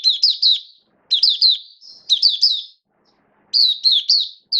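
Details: Caged oriental white-eye in build-up form, recorded 19 September 2022, sings clean groups of three or four high, down-slurred chirps, roughly one group per second, with clear silent gaps.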